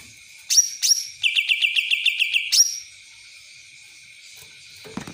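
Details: Cucak ranting singing in the kapas tembak style: two sharp high whistled notes, then a run of about ten quick, evenly spaced buzzy chips, closed by another sharp whistle, against steady high background hiss.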